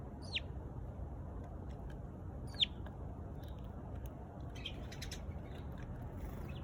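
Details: Sparrow chirping: two loud, downslurred high notes about two seconds apart, then softer clustered chirps, with a low background hum.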